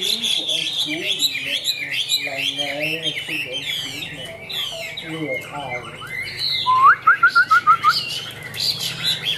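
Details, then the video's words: A Chinese hwamei of the tam hoàng type, singing from high up on the cage, pours out a rich, varied song of loud whistles, slurred phrases and mimicry, ending in a quick run of about seven bright repeated notes. "Họa Mi Tam Hoàng - Hót Cao Cầu"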